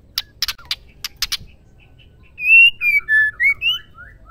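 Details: Female white-rumped shama sound used to stir males into singing: a few sharp dry clicks, then a rapid run of clear whistled notes, rising and falling, with a short pause between notes.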